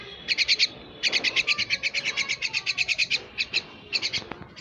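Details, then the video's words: Pet myna bird calling in a fast run of rough, evenly spaced notes, a brief burst first, then a long string of about twenty pulses, ending in short broken groups and a sharp click. "পোষা শালিক পাখি"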